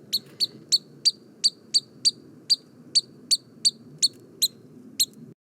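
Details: Pygmy Nuthatch, a non-migratory western North American bird of ponderosa pines, gives about fourteen sharp, high pips at a steady pace, roughly three per second, over a faint low rumble.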